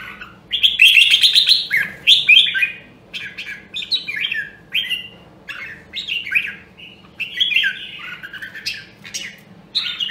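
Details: Red-whiskered bulbul from Nam Đông, Huế, singing during voice training: loud, bright phrases of quick warbled and slurred whistles repeated in bursts, some notes buzzy, with a faint low hum underneath.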